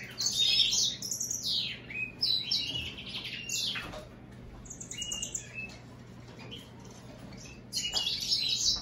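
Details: Hybrid of American goldfinch with European greenfinch giving bursts of high twittering song, fast chirps and sweeping notes broken by a brief quieter pause midway, over a faint low hum.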